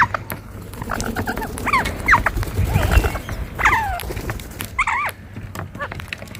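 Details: Rose-ringed parakeets, green parrots sitting together in a tree in India, give loud screechy harmonic calls that rise and fall in sharp arches. Four main bursts come about a second apart over steady background rustle and clicking.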